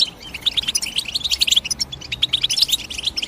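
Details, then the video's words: Short burst of European goldfinch calling, quick sparkling chirps tumbling over each other in a busy, lively twitter. "The GOLDFINCH CHIRPING SOUND"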